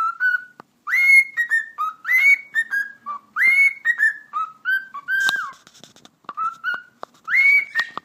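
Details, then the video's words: Pet cockatiel in full whistling display after its talking: a continuous, fast sequence of clear whistled notes, repeated rising swoops and stepped lower tones, with light clicks between phrases. "Sultan Papağanı Konuşması - Eşek Sıpası Diyor"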